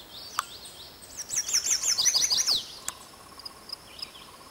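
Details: Male Chestnut-sided Warbler singing exuberantly from a birch tree on slopes above Quabbin Reservoir, Massachusetts, 2006: a rapid series of high, bright, slurred notes over about a second and a half, ending in an emphatic downslurred flourish, with faint distant chirps afterward.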